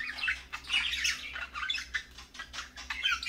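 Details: Several parakeets calling in the morning, a busy stream of harsh squawks and chirps, overlapping and irregular, with a steady low hum beneath.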